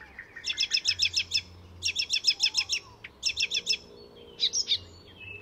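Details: Icterine warbler in full song at Fysingen reserve north of Stockholm, Sweden: bursts of rapid, repeated high chirping notes in quick series, with short pauses between phrases and a thin whistle near the end.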